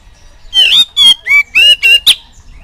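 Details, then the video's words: Oriental magpie-robin, recorded as song for training young birds: six loud, nasal, harmonic-rich notes in quick succession, each short and ringing, over a quiet background. "COCOK BUAT PANCINGAN KACER MUDA BIAR CEPAT IKUT BUNYI"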